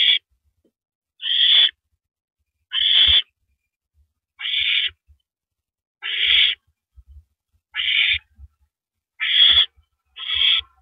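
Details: Barn owl male arriving at the nest with a rodent, April 9 2012, 8:45 PM. Eight coarse, breathy screeches repeat about every 1.3 seconds at steady loudness, with small thuds and scuffles from the nest between them.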